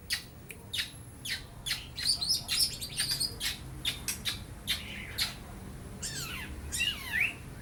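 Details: Young long-tailed shrike, still moulting from spotted juvenile plumage, delivers a busy run of dry high ticks and chirps with brief squeaky whistles, then falling slurred notes near the end, copying lovebird and house sparrow calls.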